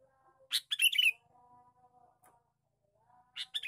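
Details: Lure call of a male sooty-headed bulbul: two bursts of rasping, chattery notes separated by a gap of steady faint tonal humming, with a soft click in between.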